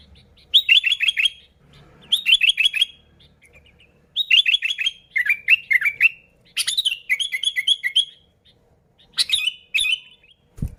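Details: Sooty-headed bulbul song played to draw in bulbuls: a lively series of bubbly, chattering phrases, some rapid and stuttered, others sliding, nearly continuous, ending with a low thump.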